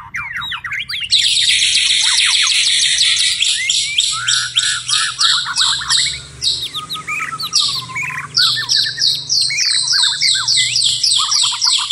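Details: White-rumped shama singing at night in a dense, continuous, high-pitched run of fast chattering and ticking notes, with a lower warbled whistle in the middle and a faint low hum underneath.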